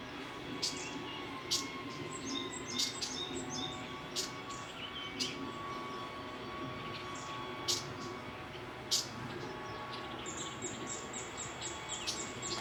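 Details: Several red-billed leiothrix calling from a thicket: scattered sharp, buzzy 'jiji' notes and quick chirps repeated irregularly over twelve seconds, with a brief run of rapid high notes near the end and steady low background hum.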